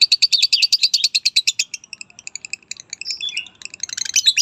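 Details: Lovebird chattering with a fast run of sharp high chirps, followed by scattered squeaky notes and a short descending whistle-like phrase before more chirping.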